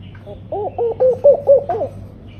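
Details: A tame laughing dove (Senegal dove) calls actively, giving a soft, bubbling run of about six low coos that rise slightly then fall away, over a faint low hum.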